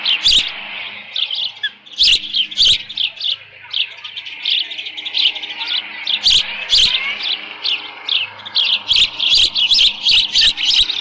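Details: Ospreys calling at their ranch nest on 13 June 2018 near 11:37 AM, leftover fish in the nest; continuous high whistled chirping that rises and falls in intensity, punctuated by frequent sharp broadband clicks and taps, busiest toward the end.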